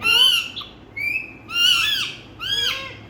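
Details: Indian talking parrot, Indian ring-necked parakeet, giving three drawn-out, rich, bending vocal notes, each arching up then down, about one every second, with short quieter notes between them over a low steady hum.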